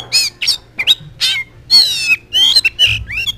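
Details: Oriental magpie-robin song used as a lure or master recording to get other magpie-robins singing: loud, varied phrases of rich whistles, harsh rasps and squeaky notes in quick bursts with brief pauses, no other sounds.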